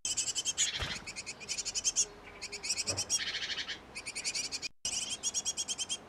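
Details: Nest box of a great tit pair busy feeding nestlings: runs of fast, high-pitched chirps broken by short pauses and one sudden gap, with a couple of soft knocks and a faint low hum in between.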